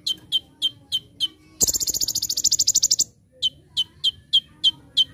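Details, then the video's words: Olive-backed sunbird (kolibri ninja) delivering its full training song: shrill chips roughly three per second, a loud rapid buzzing burst lasting over a second, then chips again. "Konin Gacor Full Tembakan"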